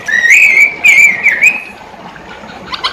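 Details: Masked laughingthrush giving a short, clear whistled phrase with a gently rising and wavering pitch, repeated twice, then brief faint notes after a quiet gap.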